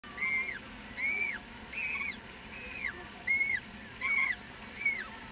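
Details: One-month-old African penguin chick at the nest giving begging peeps, which with head shaking stimulate the parent to regurgitate food: arched, whistled peeps with rich overtones, about seven in five seconds, unevenly spaced, over a faint low hum.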